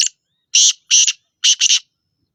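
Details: Black francolin of the Sindhi type calling: loud, harsh, grating notes in a short broken series. A single clipped note, then two spaced rasping notes, then a quick double note, all on a silent background.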